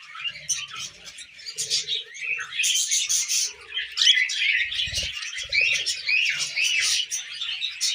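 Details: Pet budgies feeding on millet twitter in rapid overlapping bursts of squeaky chirps and rising whistles. The chatter swells louder after the first two seconds, and a soft thump falls near the five-second mark.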